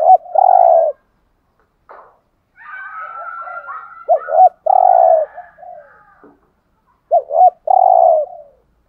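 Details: Spotted dove, called cu gáy or cu đất, cooing in a song style played to rouse a caged male: low, rounded phrases of two short notes followed by one long, even coo, repeated with pauses, faint higher chirping between.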